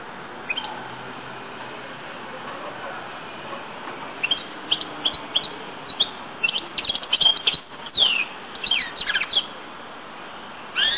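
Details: Song of a goldfinch-canary hybrid: quiet at first, then bursts of high, sharp chirps and rapid trilled phrases from about four seconds on, over faint hiss.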